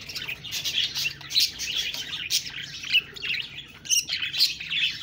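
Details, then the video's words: Budgies giving busy high chatter broken by sharper squeaky chirps and short squawk-like bursts, the flock noise rising and falling in uneven waves. "Budgies Birds talking sound Birds chirping sounds"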